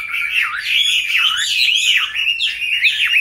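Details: Chinese hwamei kept in a cage since being caught wild, now five years on, gives a short burst of loud, fluty song with swooping whistled notes that dip and climb repeatedly.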